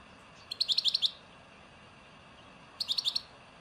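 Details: European goldfinch, 'nature' song type from Souk Ahras, Algeria: two short bursts of five or six quick ringing notes, about two seconds apart, against a steady low hiss.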